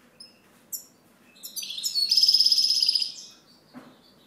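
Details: Several thin introductory chips build into a dense, high, rattling trill lasting about a second and a half; a European goldfinch sings, then falls quiet.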